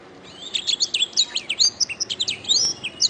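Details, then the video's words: Canary song recorded as a master track for teaching other birds to sing: a rapid string of high, varied chirps and slurred whistles, some rising and some falling, ending with a sharp upswept note. "Masteran Suara Kenari"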